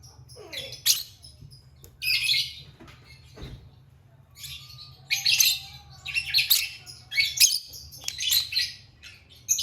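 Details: Lovebird singing and chirping: bursts of shrill, scratchy high chirps in irregular clusters, with brief gaps and a steady low hum underneath.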